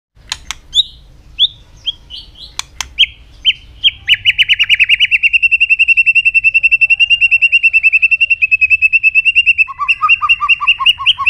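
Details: White-rumped shama training song to make the bird sing many voices, fast and intense: a few scattered whistled notes, then a long rapid trill of repeated clear notes, ending in a two-pitched alternating phrase.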